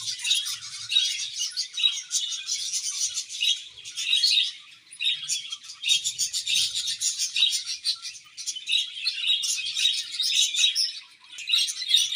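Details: Group of budgies chirping, steady waves of high, buzzy warbling and rapid tweets rising and falling in loudness over twelve seconds.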